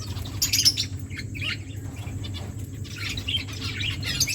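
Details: Aviary finches sing with bursts of thin, high chirps and short twitters, loudest around half a second in and again after three seconds, over a steady low mechanical hum.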